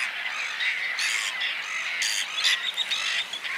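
Whiskered terns give harsh, rasping bursts about every half second to a second, over a steady hiss of distant calls.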